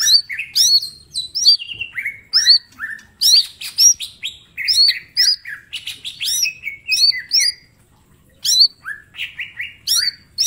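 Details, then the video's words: Green leafbird, mini type, singing a varied training master: fast run of curling whistles, falling slurs and scratchy bursts, a pause near eight seconds, then renewed hooked notes. "Cucak ijo mini gacor full tembakan bongkar materi"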